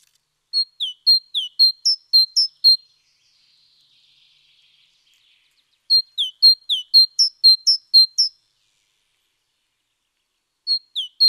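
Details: A great tit on 29 October 2017 sings bright, high two-note phrases repeated about ten times in quick runs, with pauses between bursts, against an otherwise quiet background.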